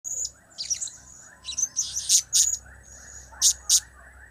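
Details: Blue-crowned hanging parrot giving cap, kiak and crap calls: scattered sharp, very high chirps, some in quick pairs, between pauses, over a faint low hum.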